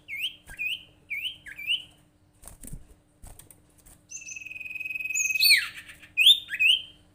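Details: Lure call of a sirtu bird, meant to make other sirtu or cipow birds call: three paired hooked chirps, a pause with soft clicks, then a long buzzy trilled note followed by sharp upslurred chirps.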